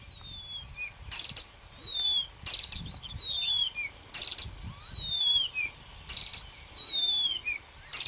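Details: Marsh warbler singing on 30 May 2010: a lively, varied run of high whistled slurs and sharp clicking ticks, with phrases returning roughly every one and a half seconds over faint low background rumble.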